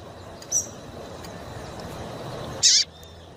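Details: Female double-collared seedeater (Sporophila caerulescens) calling to stimulate a male in courtship: two brief, high, sharp call notes about two seconds apart, the second louder, over a soft background hiss.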